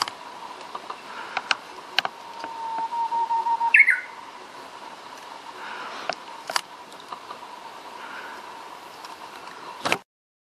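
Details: Japanese bush warbler singing from among trees: a drawn-out level whistle swells for about two seconds, then breaks into a short rapid flourish, with recurring clicks and a constant low hum behind.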